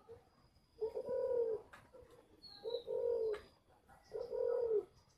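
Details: Captive spotted dove at a breeding garden in Ba Vì, Hanoi, Vietnam, giving three low, hollow coo phrases about a second long each, evenly spaced, with a faint high whistle in the background.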